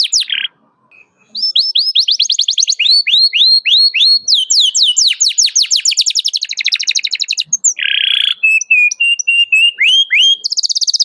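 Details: Caged canary singing hard to call a rival, used as a training model for learning canaries; after a short pause comes a long string of rapid trills, sweeping chirps and a harsh buzzy note.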